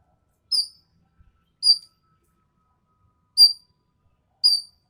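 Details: Common green magpie of Sumatra with a sharp, coarse voice: four short, harsh, clipped notes spaced roughly one to two seconds apart against silence.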